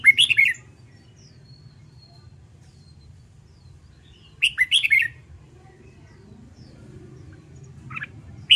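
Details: Red-whiskered bulbul kept for song training gives three short bursts of quick, clear whistled phrases, at the start, near four and a half seconds and near the end, with a steady low hum throughout.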